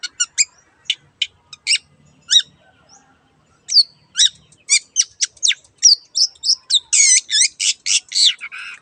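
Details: Long-tailed shrike singing strongly: scattered sharp high notes, a short pause, then a fast run of varied whistles, slurs and rich rasping phrases building toward the end.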